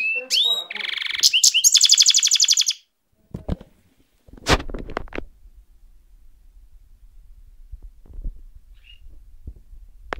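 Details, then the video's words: Caged Russian canary opens with a pure whistled note, then rolling buzzy trills for about three seconds. Knocks and thumps follow, then a low background hum. "russian canary amazing"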